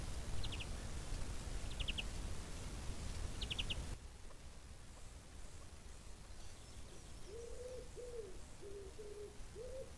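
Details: Chukar partridge giving five low, arched, slightly buzzy notes in quick succession late in the recording, after an earlier stretch of short, high triple chirps from another bird.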